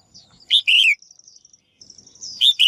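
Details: A female bird calls to excite males into singing: two loud phrases, each a brief high chirp then a drawn-out falling slur, separated by long thin high whistles from another bird.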